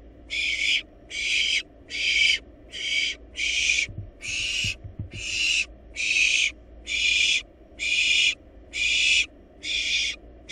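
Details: Wild barn owl nestlings feeding on a large rabbit in their nest box make regular rasping hisses, about one burst per second, a long even series, with a few soft knocks partway through.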